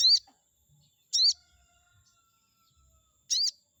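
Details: Chestnut-backed scimitar babbler song played to provoke a rival bird into responding: short, loud, high whistled notes with a rising-falling shape, spaced about a second or more apart, in an otherwise quiet setting.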